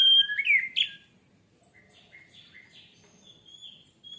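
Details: Orange-headed thrush, recorded as a lure to trigger singing. A sharp burst of fast slurred whistles opens, followed by quieter, spaced fluty notes and thin high whistles.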